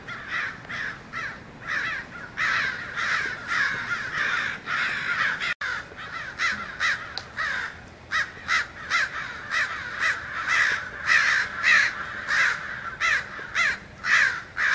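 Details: American crows massing in a Fresno, California neighbourhood on 2 January, around an ironbark eucalyptus; distinct harsh caws repeated roughly every half second to second, layered over a softer background of more distant crows calling.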